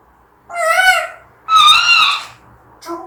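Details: Angry pet African grey parrot giving two drawn-out, nasal, squeaky calls of about three-quarters of a second each, strongly tonal with stacked overtones, then the start of a third shorter call.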